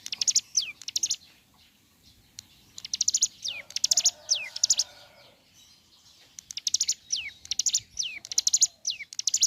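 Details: Ciblek gunung singing vigorously in the morning, a recording meant to stir other ciblek gunung into song. Rapid clusters of high buzzy ticking notes, each followed by a sharply falling whistled slur, in repeated bursts with short pauses.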